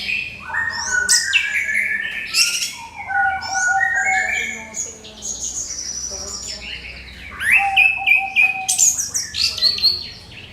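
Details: Lure song of an orange-headed thrush, used to set other birds singing: a long, varied sequence of clear whistles, rapid slurs and high mimicked-sounding notes in bursts with short pauses.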